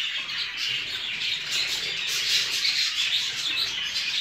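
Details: Many show jumbo budgerigars in a breeding setting chatter steadily, an unbroken blend of rapid twittering and thin whistled notes that grows slightly busier toward the end.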